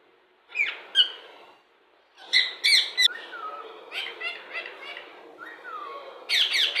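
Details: Indian ringneck parrot mimicking words: brief sharp calls, a pause, then a run of harmonic, speech-like syllables with falling glides, finishing in a loud burst of raspy chatter.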